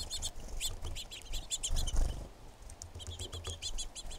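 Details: Female red-shafted Northern Flicker producing rapid, repeated high chirps in uneven bursts across the whole stretch, with a brief gap in the middle and low rumbling noise underneath.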